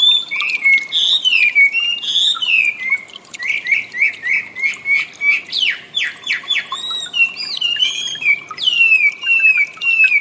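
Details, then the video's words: Wambi song used as training audio for cage birds: loud whistled phrases that slide down, then rapid repeated chirps about ninety times a minute, ending in high warbled notes. "suara burung wambi"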